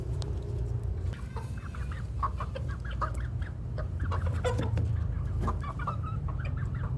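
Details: Village chickens aged two months and three weeks give many short chirping calls, rising and falling, overlapping in quick irregular bursts over a steady low rumble.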